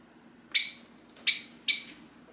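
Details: Tame hand-raised Java sparrow in its cage indoors, calling to its owner as the owner gets up to leave; three short bright chirps, each a sharp high note with a brief fading tail, spaced under a second apart, faint room hum beneath.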